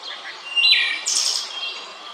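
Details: Wood thrush singing in Central Park, New York, USA: a clear fluted whistle near the middle of the range, then a bright, buzzy high trill. Quiet background.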